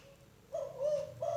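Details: Young spotted dove near Rajeg Hill, Tangerang, Indonesia, whose voice is not yet powerful. Soft, low cooing: a brief coo, a longer steady coo, then another beginning, over a hissy background.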